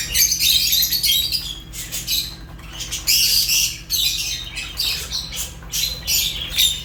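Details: Fischer's lovebirds chirping: harsh, high squawky chirps in dense overlapping bursts with short gaps, several birds calling at once, steady low hum underneath.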